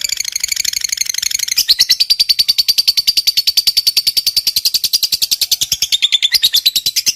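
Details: Lovebird in a long ngekek panjang trill, used to provoke other lovebirds into calling: a rapid, rattling chatter of high chirps, roughly eight per second, sustained unbroken across the whole stretch.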